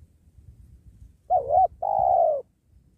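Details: Penguku spotted dove cooing near a sacred tree during dove trapping: a short undulating note, a brief gap, then a sustained purring coo that fades slightly, with soft low background noise.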